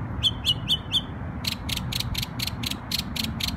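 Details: New York bird singing on Memorial Day: four clear, sharply falling whistled notes, then a rapid series of buzzy, rasping bursts repeated about three times a second, above a steady low background hum.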